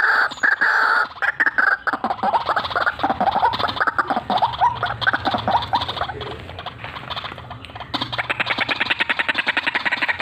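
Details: Vigorous cackling and rolling calls of a white-breasted waterhen: harsh repeated notes in bursts, running into fast rattling rolls toward the end.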